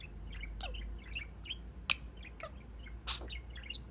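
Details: Male pet budgerigar at the window of his cage, chatting with his owners; soft scattered twitters and short descending chirps, with one loud sharp click near the middle, in a quiet room.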